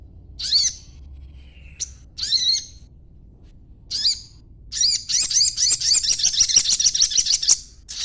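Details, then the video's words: Young green-plumaged sogon bird in rapid chatter, played as a lure so other sogon reply; separate high, sharp twittered phrases at first, building into a long continuous stream of fast, buzzy chirping notes. "sogon muda ijoan ngriwik coba dengarkan ocehanya pasti nyaut bunyi sogonmu"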